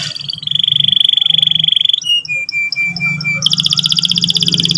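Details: Canary lure song for morning training, meant to prompt quick trilling and rolling: a steady buzzy trill held for about 1.5 seconds, then spaced chip notes at two pitches, then a high, rapid rolling trill, over a low hum.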